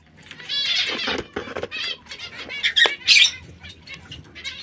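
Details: Three canaries, one red, one yellow and one brown, singing: bright twittering phrases and buzzy bursts high in pitch, louder toward the end, with soft rustling and clicks between notes.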